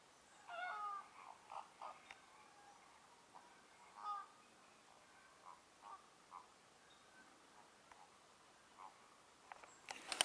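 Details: Greater flamingos at Lagunska ribogojnica nature reserve, 4 January 2024: nasal, goose-like honks, short and irregularly spaced, some in quick pairs, with a rustling clatter at the very end.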